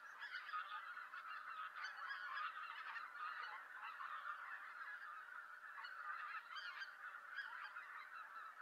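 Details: Greater White-fronted Geese gathering at a November roost in Japan, a flock calling noisily as it arrives; continuous layered honking with brief louder surges of yelping calls.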